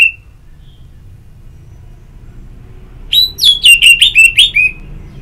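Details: Orange-headed thrush giving ngeplong song, meant to stimulate singing. One short whistle, a long silence, then a rapid burst of about eight loud, sweet whistled notes mixed with chirps.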